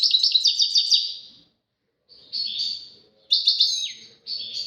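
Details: Caged European goldfinch singing in a duet-style recording: bursts of bright, twittering, rapid trills and tinkling notes, with short pauses between phrases and a sliding downward note near the end.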